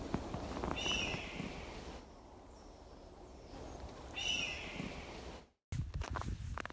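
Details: Red-tailed hawk calling in riverside forest of the Lethbridge Nature Reserve, Alberta, giving two hoarse, descending screams about three seconds apart, over footsteps and low outdoor rumble.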